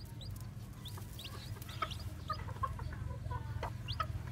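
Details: Newly hatched white black-tailed Japanese bantam chicks walking around: brief high peeps and a few sharper mid-pitched clucks, irregular and about four per second, over a continuous low hum.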